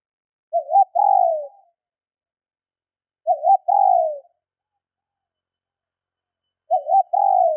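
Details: ['Female spotted dove call to rouse males, repeated three times about every three seconds: a wavering opening note, a tiny gap, then a sustained mellow coo sliding downward, with no other sounds.']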